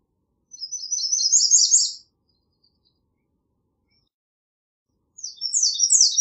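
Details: American redstart delivering a high-pitched song of rapidly repeated thin notes, strengthening toward its end, then a second song starting after about three seconds of quiet and cut off.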